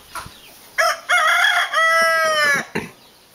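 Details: Hen showing her chicks how to search for food gives loud, harmonic, drawn-out calls, one long steady note sliding slightly downward, with a few short bursts before and after and chicks peeping softly around her.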